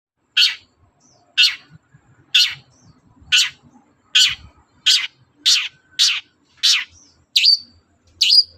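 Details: Long-tailed shrike in full morning song, used to provoke other birds into answering: a steady series of harsh, broadband chattering notes about one per second. The final two notes are sharper and end in a brief whistled tail.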